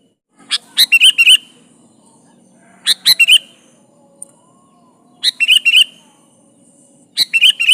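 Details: Sooty-headed bulbul singing energetically, meant to lure a rival bird; brief clusters of three or four sharp, bubbly whistled notes come roughly every two seconds, with a faint low hum underneath.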